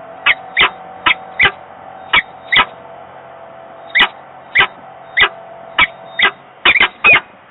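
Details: On 15 November 2022 in Włocławek, Poland, peregrine falcons at a nest box, one on the grille and one inside, exchange calls; abrupt, sharp chipping notes every half second or so over a constant hum.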